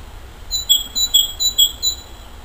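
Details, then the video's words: Spring song of a great tit, sung while the willow starts to blossom: clear, piercing whistled notes alternating between two pitches, about seven in a short run, with quiet low hum behind. "Большая синица. Голос, пение весной"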